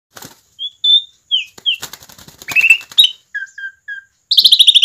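An Asian pied starling sings a varied medley of clear whistles, slurred notes and harsh rasping bursts, ending in a rapid run of bright chattering notes.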